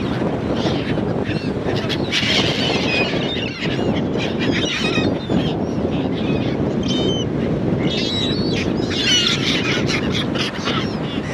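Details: Gulls giving repeated harsh, nasal calls in clustered bursts, loudest around the middle and near the end, over constant heavy wind or water noise with a low rumble.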